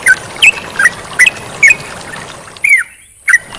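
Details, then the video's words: Yellow-vented bulbul singing vigorously, with flowing water: short liquid whistled notes spaced about every half second, then a longer slurred note and a final chirp, over a soft water background. "MASTERAN TERUCUKAN GACOR DAN SUARA AIR MENGALIR"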